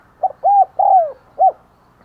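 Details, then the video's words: Spotted dove as a lure for wild doves, giving one clear cooing phrase: a quick short coo, two longer soft coos, the second sliding down, then a short closing note. "Chim Cu Mồi THÚC GÙ Và GÁY GỌI Bổi Căng Đét"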